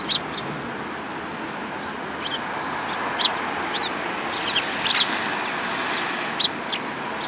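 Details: A group of sparrows, one yellow-beaked, on 29 January 2018; scattered bright chirps, some in quick doubled bursts around the middle, over a steady background hum.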